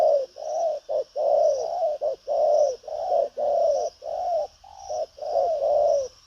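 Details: Lively 'đồng pha chân cua' spotted dove cooing hard in 'thúc gù có lèo' style: an unbroken run of low, hollow, slightly descending coos, short and long notes alternating quickly throughout.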